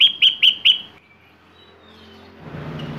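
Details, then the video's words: Sooty-headed bulbul giving four quick, loud whistled notes in under a second, followed by quiet and rising background hiss and hum. "KUTILANG GACOR BONGKAR ISIAN"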